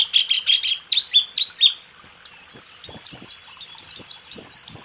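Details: Training recording for caged songbirds with a white-eye singing rool tembak: opens with lower repeated buzzy chirps, then shifts to brighter, high down-slurred whistles in rapid pairs and triplets.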